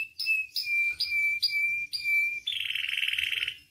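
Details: Tutor and provocation song from a canary for training other singers: five sharp notes, each dropping into a steady pure whistle, then a quick buzzing rolled trill.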